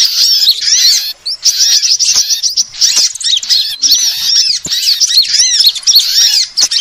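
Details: Bird-luring sound of various sunbirds: high, squeaky twitters and repeated arching whistles that overlap densely, with a brief drop in level about a second in.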